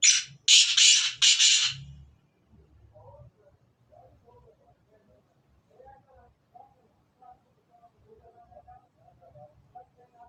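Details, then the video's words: Kala teetar, the black francolin, delivers one loud rasping phrase of four harsh notes within two seconds. Then only faint, soft chirping and low rumbles remain in the quiet background. "کالے تتر کی اواز کالے سندھی تتر کی اواز Kale teetar Ki Awaaz Kale Sindhi teetar Ki"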